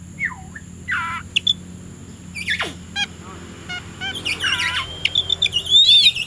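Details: Oriental magpie-robin singing in the afternoon, described as ready to fight a rival: a dipping whistled slur, rapid scratchy trills and sharp high notes, growing busier toward the end, over a constant low hum.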